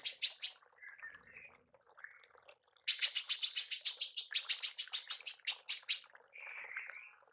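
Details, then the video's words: A female manggar's tembakan, a rapid burst used for songbird mastering: a brief volley of sharp high notes, quiet soft chatter, then a three-second run of hard clipped chips and a low buzzy trill. "TEMBAKAN MANGGAR BETINA PALING COCOK UNTUK PEMASTERAN BURUNG JUARA ANDA"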